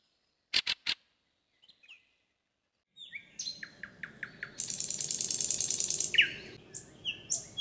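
Fieldfare giving three harsh, dry chacks, then a rapid scolding chatter of rasping notes that runs for several seconds. A thin high note or two from another bird sounds behind.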